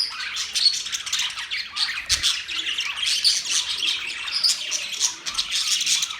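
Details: Several pet budgies in their cage chattering steadily: dense, scratchy warbling mixed with short squawky chirps and high whistled notes, overlapping without pause, a faint low knock around midway.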